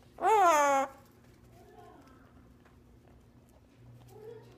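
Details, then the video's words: A red-crowned amazon parrot says a single loud, speech-like "hello" that swoops up then drops in pitch, followed by faint room noise and a soft murmur. "Red Crowned Amazon Parrot Saying Hello"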